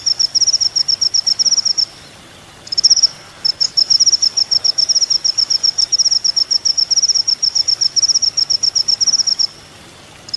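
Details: Olive-backed Sunbird (kolibri ninja), a training recording for songbirds: long fast trains of thin high ticking notes, interrupted by short pauses and resuming.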